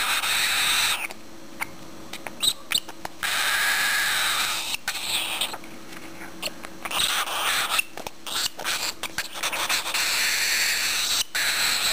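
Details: A hungry one-month-old pet cockatiel chick begs to be hand-fed with Nutribird formula. It gives harsh, raspy, wheezing begging calls in fast rhythmic bursts, broken by brief pauses and a few soft handling clicks.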